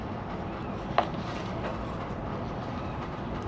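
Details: Even background hiss and rumble with a single sharp knock near the start; no animal calls.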